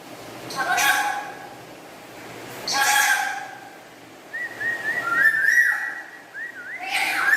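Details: Pet black-capped lory chattering indoors: two harsh, broad squawks, then a run of clear whistled notes that rise and bend, ending in another rough call.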